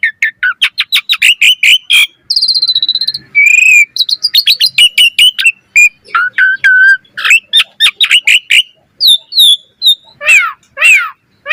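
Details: Asian pied starling singing nonstop in its full, varied song, used to train other starlings: rapid dense chirps and rattles, a buzzy trill, fluty whistles, and falling, sweeping notes near the end.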